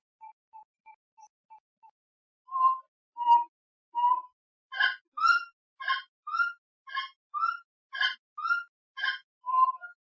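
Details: Grey-cowled wood rail (Aramides cajaneus) gives a few soft, quick notes, then a loud, rhythmic series of hoarse, rising, honking calls about twice a second.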